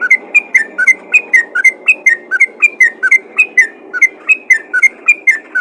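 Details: Lively yellow-vented bulbul chatter directed at other bulbuls, a steady stream of paired liquid whistles rising and falling, with a faint murmur of background noise.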